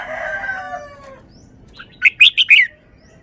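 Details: Loud forest-style song from a caged red-whiskered bulbul with good phrasing. A fading harmonic, crow-like tone comes first, then a short gap and a burst of four clear, ringing, slurred whistles within half a second.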